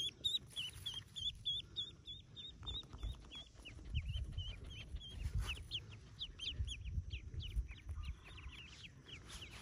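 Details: Ducklings hatching in a cave nest, yellow ducklings newly born; rapid high peeping notes repeated steadily, many chicks calling at once over low rumbling background noise.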